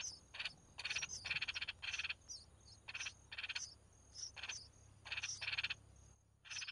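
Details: Red-whiskered bulbul young being fed by their mother: dense runs of rasping, buzzy pulsed bursts with thin high chips, over a low steady background hum.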